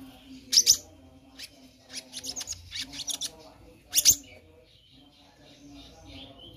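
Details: Black-naped monarch calling actively, used as a tutor for other birds: two loud harsh scratchy bursts, then scattered short high chirps and a final harsh burst, with a faint steady low hum behind.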